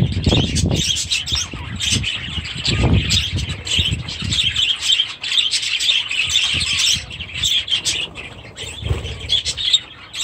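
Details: Budgerigars in an outdoor aviary with new chicks: a dense flock chorus of scratchy chirps and squawks in the upper register, with low thumps and rustling underneath.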